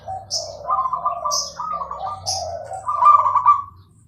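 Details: Zebra dove in full, clear-voiced song, delivering a continuous run of bubbling, trilled coo phrases that alternate between lower and higher notes. Three short, high chirps are scattered through the phrases.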